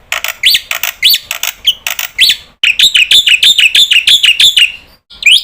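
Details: Black-winged starling, a lively lure bird said to make all kinds of starlings join in. It gives raspy, arched shrieks with clicks, then a rapid string of about ten buzzy, scratchy notes and a final rising screech.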